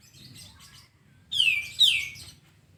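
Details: Sooty-headed bulbul song used as masteran tutoring to get birds singing fast: one pair of loud, rich notes dropping steeply in pitch, preceded by soft scattered chirps and a low hum.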